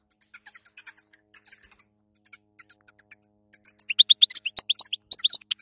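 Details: Female European goldfinch chattering, played to train and stimulate a weak male after moult; rapid high, dry twittered notes in dense bursts with short pauses, with lower slurred chirps near the end.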